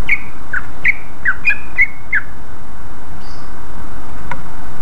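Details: Greater Green Leafbird lure recording that other leafbirds quickly answer: a rapid series of loud, clear whistled and slurred notes, about three per second, over a steady low background hum.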